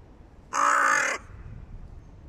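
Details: A hooded crow gives one loud, harsh, rasping caw lasting about half a second against quiet surroundings.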